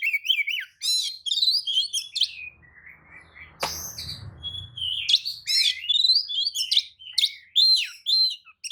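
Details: White-rumped shama song used as a lure recording to provoke other shamas into answering: rich, varied phrases of whistles, buzzy trills and harsh notes between 2 and 8k, with a brief low rumbling thump near the middle.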